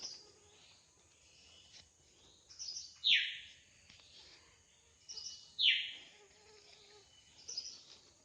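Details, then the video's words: Wild drongo singing in its natural habitat: loud, harsh notes that sweep steeply downward, about two seconds apart, with softer high chips and faint lower whistles between them. "Suara burung srigunting asli di alam liar gacor"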